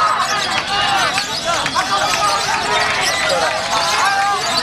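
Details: A lovebird competing in a lovebird class at a singing contest gives a long, continuous, shrill chattering of rapid squeaky notes, mixed with other birds and a murmuring crowd.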